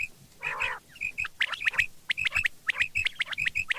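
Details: Morning quail calls, opening with a harsh nasal burst, then rapid, clipped chirping notes repeated irregularly, some doubled, over a soft low hum.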